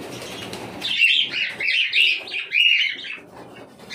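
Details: Rapid run of cockatiel chirps, bright, wavering notes packed closely together for nearly two seconds before fading into quiet rustling.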